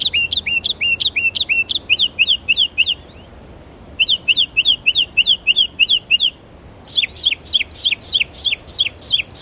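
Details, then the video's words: Northern mockingbird at Belle Isle Marsh Reservation in East Boston, Massachusetts, going through borrowed birdsongs: rapid high rising notes repeated about eight times, a pause, another repeated series, then a new run of upswept notes. "Northern Mockingbird bird songs"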